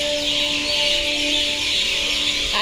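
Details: Sparrows at a temple near Nandyal in the evening, as night falls and they settle in, give a dense wash of high, overlapping chirps through the whole clip, with a steady droning music tone underneath.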